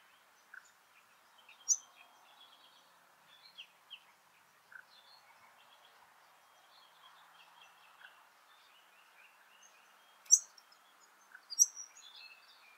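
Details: Two White-plumed Honeyeater fledglings give short, high chirps at an irregular pace, some in quick clusters, over a low hiss. Calling speeds up as two adults arrive, one carrying a bee-fly, and the adults give different notes at the end. Laratinga Wetlands, South Australia, 9 January 2021.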